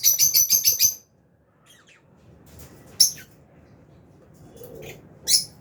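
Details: Albino and Fisher's lovebirds in an aviary open with a rapid run of about six shrill chirps, then pause before scattered single high notes.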